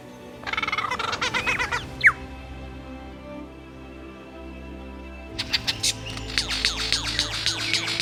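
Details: Superb Lyrebird, a fully adult male in Australian rainforest where males gather to learn the mating dance, sings rapid bursts of rich, varied mimicked notes, a sharp rising whistle, then another dense chattering run over a faint steady hum.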